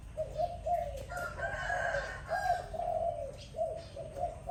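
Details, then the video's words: Morning dove cooing in low, wavering notes repeated in quick succession, while a higher, drawn-out call rises behind them in the first half. "Sweet sound of dove in the morning"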